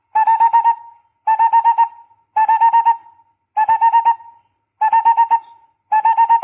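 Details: Barbet calling, recorded for use as a lure: evenly spaced bursts of five or six rapid hollow notes, about one burst per second, six in all.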